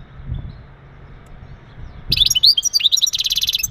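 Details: Male European goldfinch uttering breeding calls to stimulate a female: after low murmuring background, a sudden lively run of high twittering notes and sweet slurs flows into a fast, dense buzzy trill.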